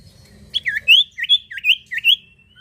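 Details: Common iora (sirtu or cipoh) singing actively, used as a lure to set other birds singing: five loud upslurred chirps repeated about every third of a second, then a fading trailing note.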